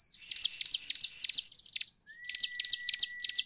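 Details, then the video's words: Bar-winged prinia lure song: quick bursts of bright, high chirps, a short silent break, then further chirps over a long, level whistled tone. "PANCINGAN CIBLEK 100% EFEKTIF CEPAT MEMANCING CIBLEK LAIN IKUT GACOR/ CIBLEK GACOR"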